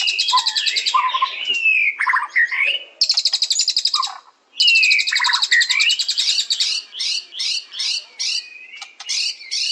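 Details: White-rumped shama song: high rattling trills alternate with swooping whistles and quick rising and falling phrases, then a series of repeated sharp notes about every half second near the end.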